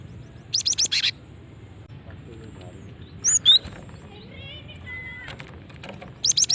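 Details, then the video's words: Lure call of a female cinereous tit: brief bursts of fast, very high chirps at the start and end, with a pair of thin whistled notes between and faint other bird sounds and murmurs. "Ampuh memancing bunyi gelatik batu betina ini"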